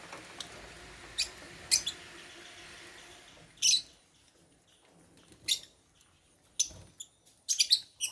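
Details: Lovebirds from Africa, kept caged, chirp while eating holy basil at mealtime, giving scattered high, thin chirps in short bursts with quiet gaps between them.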